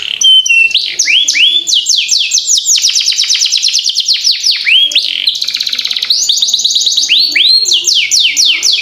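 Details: Long rolling canary song used to tutor young birds: a whistled note, rising sweeps, dense fast rolls, a buzzy stretch midway, then more bright sweeping notes.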